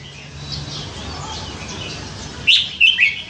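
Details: A caged red-whiskered bulbul, famed for singing many different songs, stays quiet at first, then near the end gives one brisk phrase of three bright whistled notes over low background noise.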